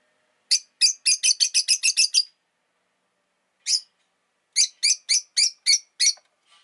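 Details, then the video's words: Rosy-faced lovebird delivering a fast run of about nine scratchy chirps, one lone chirp after a pause, then six more evenly spaced rasping chirps. "Lovebird Chirping Sounds"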